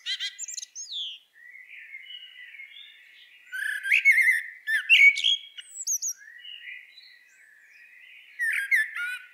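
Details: Common blackbird at a garden bird feeder in an early snowy winter, late November 2023, giving scattered calls: sharp chattering notes and a few slurred whistles in loose bursts about once a second, with quiet gaps between them.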